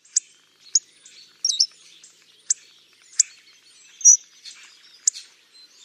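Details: Hawfinch uttering abrupt, high ticking calls at irregular intervals of roughly half a second to a second, mixed with thin whistles and scratchy chatter from other birds nearby.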